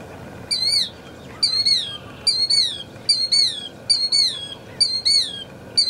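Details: Killdeer, a frequent visitor to rice country in Glenn County, California, gives shrill, high, two-part calls that slur downward, about one a second, over a soft low rumble of background noise.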